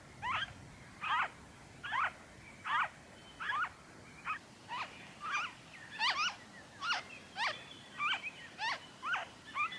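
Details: Long run of coarse, clipped notes from a noisy friarbird in Victoria, Australia, February 2023, each bending sharply downward, delivered at a brisk, slightly uneven pace, some fainter as if from farther birds.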